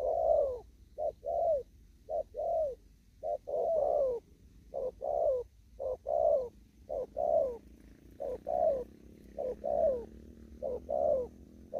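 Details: Spotted dove in a Kon Tum upland field delivering a long run of rapid 'thúc gù' coos, each a short note then a fuller descending coo, around eleven steady phrases, background low and quiet.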